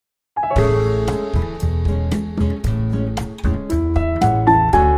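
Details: Bright piano music with plucked melody notes over steady low chords, no animal voice anywhere.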